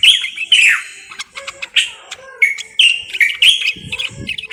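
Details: Common bulbul of Morocco giving loud, clear whistles that slide downward, mixed with quick chirps and trills in lively, broken phrases.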